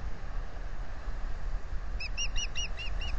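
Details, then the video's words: Wild osprey of a pair nesting at Salt Point since 2013, calling on April 15, 2020 while offering to incubate. After a quiet stretch of low hum, six quick, clear, downslurred whistled chirps follow one another rapidly. "Orpheus offers to incubate oph says no"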